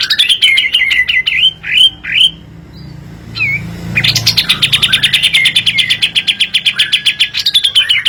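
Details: Kapas tembak, a lure recording for other birds: several sweeping slurred whistles, then a pause, then a long dense rattle of rapid high notes with a falling whistled line running beneath it.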